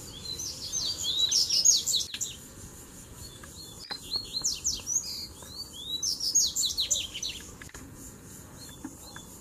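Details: Male Double-collared seedeaters in a fighting duel, three having come at once. Long runs of rapid, high, clipped chirps and slurred notes repeat in waves, broken by a few sharp clicks.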